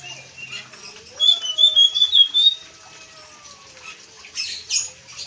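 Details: Blue-and-white flycatcher in full song, a sweet, high, warbling phrase of rapid whistled notes after a quiet start, followed by a few softer chips near the end.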